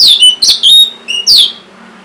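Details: Orange-headed thrush kept in a cage, singing as a prompt for birds that are lazy to sing: four bright, high whistled notes, loud and piercing, with falling slurs and short pauses between them.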